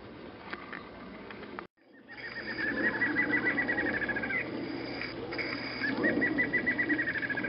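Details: Barred antshrike song: a quick, accelerating string of piping notes ending in a sharp upturned note, followed by a second similar string, over a steady hiss of background noise.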